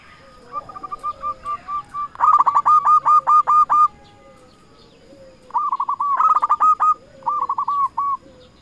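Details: Local zebra dove (perkutut) singing as a lure to call rivals and provoke other doves to answer: two bursts of rapid, evenly repeated cooing notes, with softer cooing phrases and a low sliding call from another dove between.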